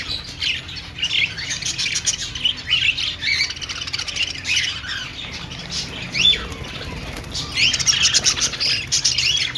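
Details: Flock of caged budgerigars in an aviary at a pet store, chattering and squeaking in waves of high, rapid chirps that swell and fade, with a soft low background hum.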